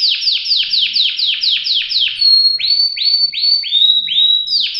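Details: Canary song with a rapid tour of about eight falling swept notes, followed by slower ringing upslurred notes, loud and clear.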